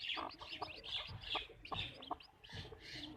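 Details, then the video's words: Quieter clucking from backyard farm chickens, short clipped notes repeated irregularly about twice a second, mixed with higher chirpy calls and low background rumble. "Backyard chicken farm | chickens clucking | hens clucking"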